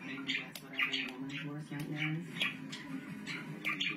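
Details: Tame pet budgerigars at play chirp in short, bright bursts over a steady hum of voices or music indoors.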